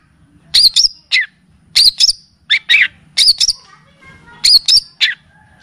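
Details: Long-tailed shrike (pentet) on a tutoring and lure track full of kapas tembak and cililin phrases: grouped harsh, scratchy double and triple notes repeated roughly every second, with brief quiet breaks.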